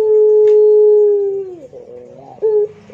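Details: Barbary dove in pelung style holding a smooth, level coo for about a second and a half before it dips away into soft, wavering notes and a brief clear note.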